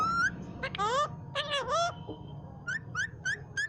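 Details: Home green parrot repeating the phrase "mian mithu Allah ho", taught by the owner's mother: a few drawn-out, swooping talking syllables, then a series of short rising chirps. A constant low hum runs beneath.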